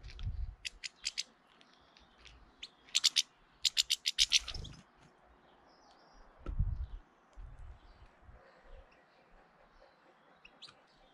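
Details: In early April a hefty European goldfinch intimidating another goldfinch gives spaced high chips, then a dense, fast burst of tinkling twitters, then quieter scattered notes, with occasional low thumps.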